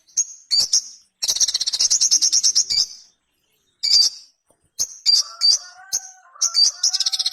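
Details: Sogon, the Ruby-cheeked sunbird, singing a long buzzy high trill between scattered sharp chips, followed by quick notes over softer lower whistled phrases.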